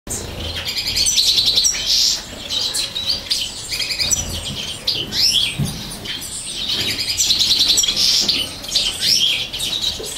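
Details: Female common chaffinch feeding her chicks, 2018, with a breeder: high, thin, insistent chick begging calls in rapid bursts, plus buzzy and whistled notes, continuous chirping throughout, faint wing flutters.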